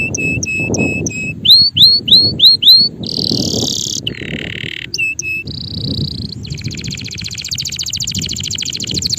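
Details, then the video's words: Male canary singing: rapid paired chirps, a series of hooked whistles, a loud high buzzy burst, a lower rolling trill, then a long fine rattling trill to the end, over background rumble. "canario macho cantando"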